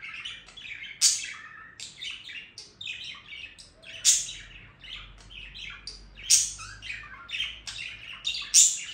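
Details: Continuous warbling chatter from a budgerigar, a mix of short chirps, buzzy notes and sudden loud clicks and squeaks recurring every two seconds or so, over a faint low hum.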